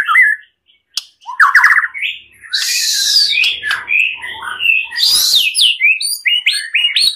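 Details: White-rumped shama singing on a master recording meant to train other birds: varied whistled phrases mixed with harsh, scratchy bursts and quick chirps in dense succession, with brief pauses between loud passages.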